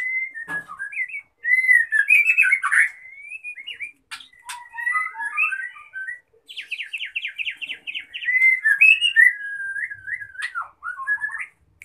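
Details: Calling female white-rumped shama, lenjeh style, meant to heighten a male's breeding drive. Rich whistled phrases and warbles, a rapid rattling run of notes in the middle, then clear sliding whistles fading out.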